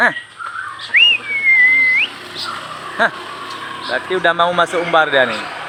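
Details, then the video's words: Oriental magpie-robin of the Aceh variety singing in the 'pelor' style with varied material: a clear drawn-out whistle that rises, dips and climbs again, followed by harsh harmonic stacked notes in quick succession. "semakin hari gaya pelor semakin enak,kacer gaya materi banyak kacer aceh"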